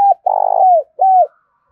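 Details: Spotted dove cooing to stimulate other doves and train a decoy: a short note, then a long quavering coo that glides down, then a distinct arched final coo after a brief gap.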